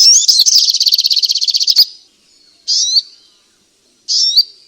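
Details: A fast, rattling trill of high pulses lasting nearly two seconds opens this striated grassbird song, followed by two separate short whistled phrases with hooked, rising notes.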